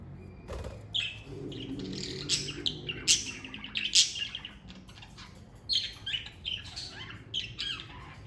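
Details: A family of pet budgerigars chatters busily, with dense overlapping chirps and short sharp tweets in quick, irregular bursts, roughly one per second, over a faint low hum.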